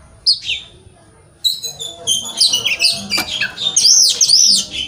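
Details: Oriental magpie-robin song used to stimulate young wild-caught birds to sing: a brief high whistle, pause, then a dense run of high, sweeping, chattering notes and arched whistles over faint background noise.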